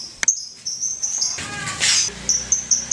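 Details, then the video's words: Champion lovebird in Indonesian song competitions giving ngekek, a sustained shrill rattling trill at constant high pitch, briefly swelling into a harsher noisy burst midway, then continuing in short pulses; faint low hum underneath. "LOVE BIRD RORO, 3 MENIT NGEKEK"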